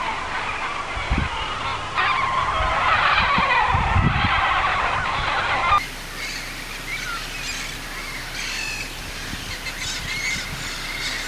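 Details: Wild parrots at a communal roost in Harlingen, Texas, where adults bring young to join; a crowd gives loud, harsh squawks and screeches together, thinning after a few seconds, with brief speech; young birds are audible.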